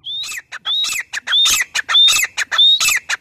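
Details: Grey francolin (teetar), dated 03/10/2020, calling loudly in a fast repeated pattern. Each phrase opens with a clear rising whistle, then a couple of harsh, noisy squawks, about five phrases in three seconds, with no other sounds.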